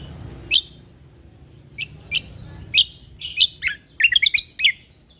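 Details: Ruby-throated bulbul used to tutor birds: spaced single sharp chirps gradually quickening into a busy run of rapid warbled whistles near the end, clean and loud over a light hiss.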